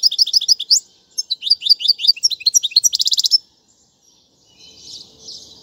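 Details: European goldfinch giving tutoring song for fledglings: quick bright twittering phrases building to a fast buzzing trill, then stopping, followed by soft distant chirps and faint background noise.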